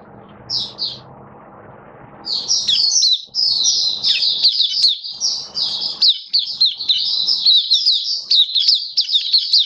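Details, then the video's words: Oriental white-eye in a cage, October 2022: two short high chirps, then a sustained, busy torrent of thin squeaky twitters and slurred whistles, with soft background murmur fading in and out. "Mata Puteh Kitaro Buka Sing"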